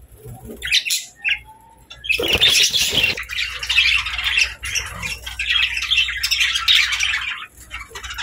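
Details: Pet budgies chattering: a brief squeaky note, then a dense, continuous scratchy warble with harsh squawky bits that runs almost without a break for six seconds.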